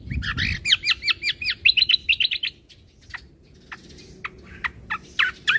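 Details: Bulbul combo song meant to provoke other birds: a fast, regular series of sharp chirps for over two seconds, then sparser single chirps and a soft low thump at the start.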